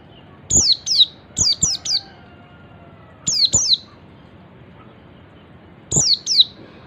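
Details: Oriental white-eye giving its ngalas call, said to make other white-eyes join in: short high notes sweeping steeply downward, in pairs and triplets, with bursts spaced irregularly a second or more apart against a quiet background.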